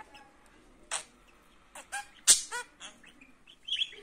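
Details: Pet budgerigar chattering: a run of scratchy, broadband warbled notes and clicks in irregular bursts, the loudest near the middle, ending with a higher squeaky phrase.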